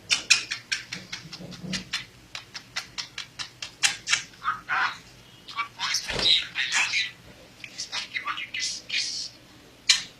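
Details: A pet budgerigar chatters in rapid, high, scratchy bursts, mimicking speech-like syllables; a talking budgie.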